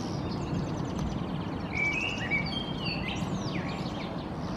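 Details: European goldfinch perched in a tree in Helsinki, Finland, in April 2023, singing: a rapid twittering run of buzzy trilled notes mixed with short clear whistles and chirps, over a steady low rumble of background noise.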